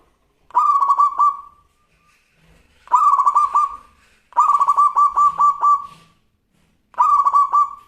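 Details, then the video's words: Actively singing local zebra dove, crystal-like voice: four pulsed cooing phrases, each a quick series of throbbing notes ending in a drawn-out fade, spaced one to two seconds apart against a quiet background. "Perkutut Lokal Gacor Suara Kristal"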